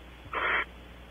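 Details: Barn owls at Audubon Starr Ranch, California, giving a strange whistle: one short, hoarse, breathy note of about a third of a second, with faint background hum and no other calls.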